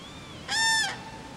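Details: A single bugling crane note at a Finnish bay, Friskalanlahti: clear, resonant and level, lasting about half a second; a faint thin whistle sounds just before it.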